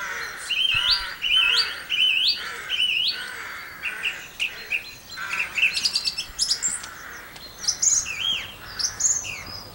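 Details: Song thrush singing, Campbeltown, April 2012. A loud, rising whistled phrase is repeated four times, followed by rapid clipped notes and fresh high phrases, over a low background of other birdsong.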